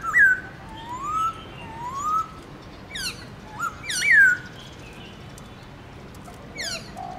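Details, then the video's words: Black-throated laughingthrush, a kept songbird, singing its morning forest-style song: sharp downslurred whistles alternating with drawn-out, rising, mellow whistled phrases, with pauses between. "Khướu bạc má HÓT GIỌNG RỪNG- LUYẾN NHIỀU ÂM"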